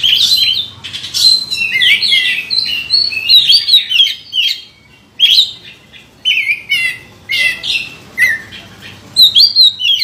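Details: Oriental magpie-robin, a champion contest bird with past wins, singing a rich, varied song of high whistles, chirps and buzzy notes in quick phrases broken by short pauses.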